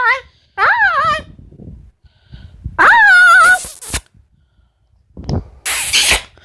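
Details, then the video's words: Pet female Amazon parrot indoors giving loud, wavering, tonal calls that rise and bend, with bursts of noisy hissing sounds between and a woman's voice thanking her in the background. "The many sounds of Lily, an amazon parrot"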